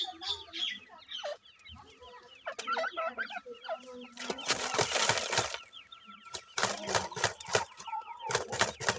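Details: Grey francolin (dakhni teetar) family, a mother feeding her chicks: rapid, irregular soft clucks and short chirps in uneven runs, with bursts of wing flapping and broad rustling noise in the middle.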